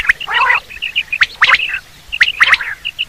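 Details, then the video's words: Quail (batair) sound for hunting: a harsh, gargling rasp, then pairs of sharp, snapping high notes and small high piping dots, all within three seconds. "batair ki bahtreen safe awaz new volume || batair hunting quail sound"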